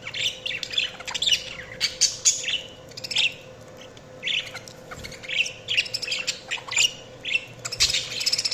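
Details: Budgie chirping in rhythmic bursts roughly every half second: bright, buzzy, warbled chirps and short rising whistles, with a faint steady hum in the background.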